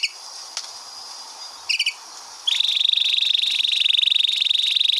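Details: Canary long roll recorded as song tutoring material: faint high notes and a short chirp, then halfway through a bright, rapid, buzzing trill begins and runs unbroken at an even pitch to the end.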